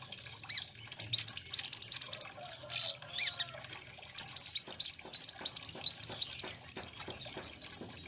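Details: High, thin twittering song of an olive-backed sunbird (kolibri ninja, konin): quick trains of sharp downslurred chips, a brief pause, then a long even series of rapid chirps and a final short burst; quiet surroundings.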